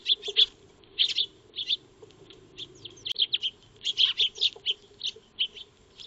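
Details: Maya birds, Eurasian tree sparrows, feeding in a backyard under a solar-powered wildlife camera; scattered high, punchy chirps in pairs and small clusters, busier toward the end, with a low background hum.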